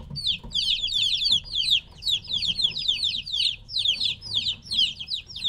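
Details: Chicks around three weeks old, removed from their mother hen, chirp nonstop: overlapping thin, high peeps sliding downward, many birds together, steady soft hum below.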